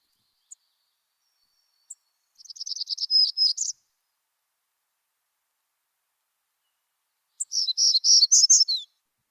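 Two high, buzzy Hermit Warbler songs, each a quick run of wheezy notes rising to a sharper, clearer ending; otherwise quiet.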